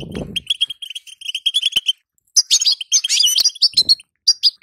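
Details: Female European goldfinch giving the batbata call, played to stir a caged male into song: rapid bright chirps at a steady high pitch, then a burst of twittering, buzzy notes, with a low knock at the start.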